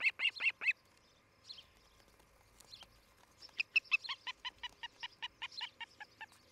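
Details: Osprey calling from a nest in Charlo, Montana, on a nest camera on the morning of 07-11-2018. Quick bursts of sharp, high whistled chirps, a short run, a pause, then a steady train of about a dozen evenly spaced cheeps.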